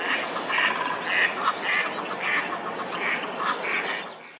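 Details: Egyptian goose in a marsh in April 2021, giving harsh, hoarse honks repeated about twice a second in a steady series, over a constant background hiss.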